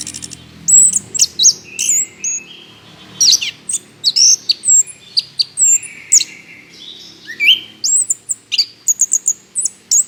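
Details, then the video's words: Orange-headed thrush in full, lively song meant to coax other birds into singing: clear whistles, high thin notes and swooping slurred phrases, closely spaced and constantly changing. "pancingan anis kembang gacor"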